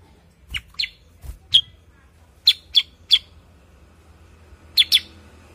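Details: Cucak kurincang, a bulbul known in some regions as kutilingang sutra or as kuniran in Ngawi, singing a series of short, sharp, high chirps and paired notes in irregular bursts, with soft low thumps and faint background hum.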